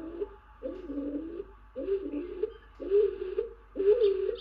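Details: Presumed male stock dove perched on an occupied tawny owl nest box, calling persistently on 28 April 2023: low, hollow, double-pitched coos, five phrases about a second apart, each swelling slightly.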